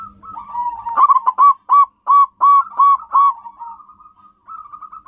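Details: Local zebra dove used to lure wild birds, giving a rhythmic cooing phrase: a rolling lead-in, then a string of evenly spaced, clipped hooting notes, and a softer trailing coo. The background is quiet.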